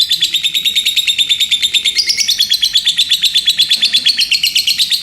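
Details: Lovebird giving ngekek chatter: a fast run of sharp, high chirped notes, about three per second, held steady and unbroken for the whole stretch.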